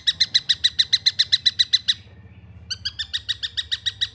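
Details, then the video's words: Juvenile long-tailed shrike giving fast, harsh, buzzy chattering notes at about seven per second for two seconds. After a brief quiet gap, a slightly different rasping series resumes. A faint low hum sits underneath. "SUARA ANAKAN TENGKEK BUTO"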